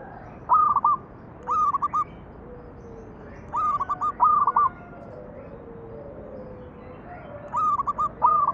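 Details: Perkutut, the zebra dove, manggung song used to coax other doves into singing: short clipped trills of stuttered cooing notes, phrases coming in pairs every two to three seconds, fainter doves cooing in the background.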